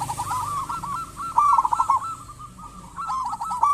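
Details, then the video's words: Local zebra dove in song, used as a lure for others of its kind: near-continuous cooing with quick stuttering notes, one louder rolling phrase in the middle over faint background noise. "Perkutut lokal gacor cocok buat pancingan burung perkutut"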